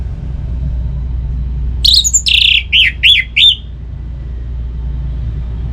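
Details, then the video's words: Orange-headed thrush, a kept bird, singing a song used to make other kept birds sing; a short burst of loud whistled and slurred notes, several descending phrases near the middle, over low background hum. "Resiko bakalan Gacor Saat dipancing Suara Burung ANIS MERAH Ini"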